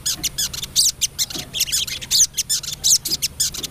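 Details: Female crested jay calling to a male, giving a dense run of sharp, high, buzzy chattering notes in quick bursts, with a faint low hum underneath.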